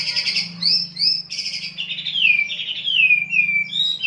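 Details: Kapas lovebird delivering the tembakan song style: continuous high chattering, warbled notes sliding down in quick succession, with a steady low hum underneath.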